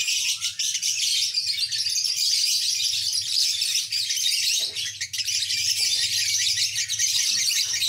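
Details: Long ngekek trill from a lovebird, a fast rattling chatter that runs almost unbroken for about eight seconds, dipping briefly twice, over a faint low electrical hum.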